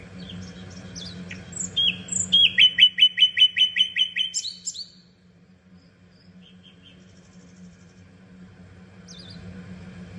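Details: Common nightingale singing: varied high chirps, then a fast series of about a dozen loud, evenly repeated notes, followed by near silence with a few faint high notes; steady low hum underneath.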